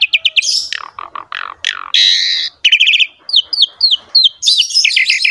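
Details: Cage-kept Asian pied starling singing a vigorous song used as training material: rapid chips, harsh screechy bursts, a buzzy sustained note, and series of short slurred whistles.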